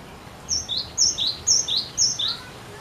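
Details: Cinereous tit delivering persistent song to coax other birds to sing, with four bright high-to-lower whistled couplets plus the start of a fifth, in a fast, even cadence.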